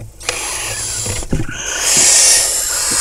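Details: Barn owl family in a nest box among crop fields at Kibbutz Snir, Hula Valley, Israel, late May 2020, during prey delivery and mating; knocking and scuffling, then a loud rasping hiss rising in strength toward the end.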